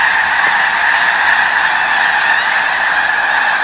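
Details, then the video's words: Close to thousands of snow geese at McNary National Wildlife Refuge, Washington: a loud wall of squeaky, nasal honks from the flock, endlessly overlapping with occasional sharper individual calls standing out. "Thousands of Snow Geese at McNary National Wildlife Refuge"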